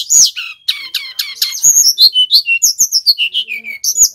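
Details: Brown-chested jungle flycatcher, a vigorously singing male from Bali, recorded as a lure and tutor: opens with harsh, rasping notes, then a rapid string of clear whistled notes that dip and rise, about five per second.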